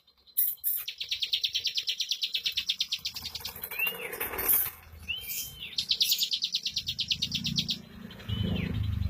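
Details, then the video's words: Bar-winged prinia in 'speed rapat' style: rapid high chip runs and a few short downward-slurred whistles over low rumbling background noise. "Suara Burung CIBLEK Bocor Tipikal Ngunci lagu Speed Rapat !!!"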